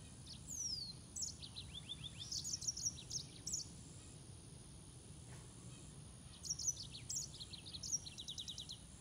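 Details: Green singing finch (Canario de Mozambique) giving several song phrases: descending whistles and fast rattling chirp series, a pause of about two seconds, then another bright phrase ending in a quick trill; faint hiss behind.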